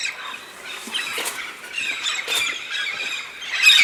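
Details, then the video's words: Red-spectacled parrots in a big seasonal flock in the Santa Catarina highlands, southern Brazil, feeding on pinhão: irregular harsh, screechy calls overlapping, growing louder toward the end. "O espetáculo dos papagaios-charão (Amazona pretrei) Red-spectacled Parrot."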